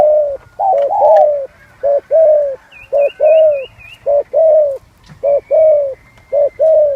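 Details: Cooing of a spotted dove in the 'giọng son' style, mellow short-long coo pairs repeated rhythmically, with a faint wavering high whistle from another bird and a steady low hum behind.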